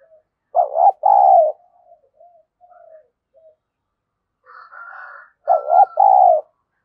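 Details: Spotted dove used as a decoy to provoke rivals: a loud double coo, quiet murmuring, then a higher harmonic call resembling distant crowing overlaps just before a second strong double coo.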